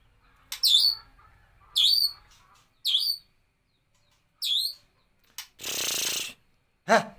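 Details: White-rumped shama, a competition bird, giving four clear whistled phrases about a second apart, each a bright rising-falling note with buzzy overtones, followed by a burst of broad noise and a final sharp call.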